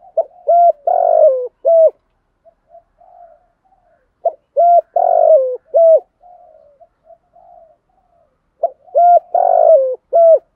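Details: Spotted dove used as a decoy, cooing to attract wild birds in the one-ending style. Three full coo phrases recur about every four seconds, each of several mellow notes with a longer rough centre, separated by soft murmuring.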